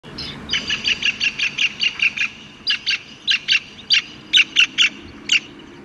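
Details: Black-capped kingfisher at Mai Po Inner Deep Bay Ramsar Site, Hong Kong wetlands: a long series of harsh, ringing, high notes repeated about three times per second, briefly pausing midway before continuing.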